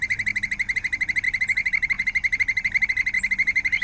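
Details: White-necked puffbird (Notharchus hyperrhynchus) song, a Neotropical bird: a long, steady, evenly paced trill of rapid, clear notes at roughly ten per second, holding one pitch throughout with a slight rise at the very end.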